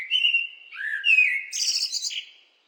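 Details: A blackbird delivers one short song phrase: rich, flute-like warbling that slides up and down, then finishes in a thin, high, chattering flourish before fading to silence.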